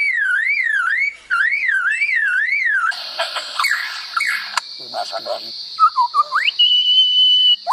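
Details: Superb lyrebird; mimicry song; attracting a female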